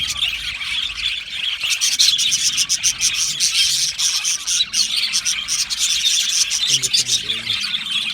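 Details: Australian budgerigars in an aviary colony, happy singing and chirping: dense, continuous high warbling chatter from many birds at once, with rapid overlapping chirps, clicks and twittering throughout and no pauses.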